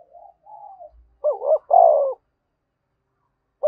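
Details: Spotted dove giving 'thúc bổi' cooing. Faint soft murmurs lead into a loud double note and a sustained mellow coo, followed after a pause by the start of another phrase. A faint low thump is also heard.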